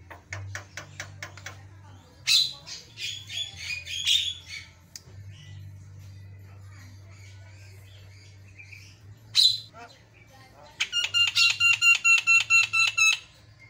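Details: Javan myna singing in bursts: quick high chirps, harsh squawky notes, then a rapid train of about nine evenly spaced buzzy harmonic notes, over a steady low electrical hum.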